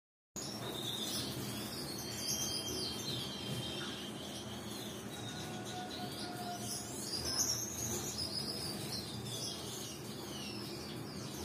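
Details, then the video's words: A male Gouldian finch in breeding mood, with other Gouldian finches in an aviary, gives high, thin, hissy chirps and buzzy trills almost nonstop over a steady background hum. "gouldian finch breeding mood for male"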